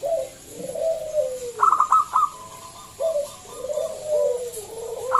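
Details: Loud-voiced local zebra dove singing to lure other doves to sing; long falling coos with a short run of crisp staccato notes in between, then more descending coos.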